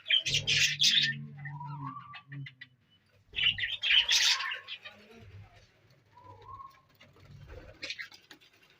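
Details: Budgerigar breeding colony in the 2023 breeding season, with eggs hatching: budgies chatter in bursts of harsh, scratchy warbling, with low humming tones underneath.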